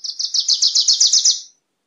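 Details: Fast chattering song of a Wilson's warbler, roughly ten high, evenly spaced notes over a second and a half, then silence.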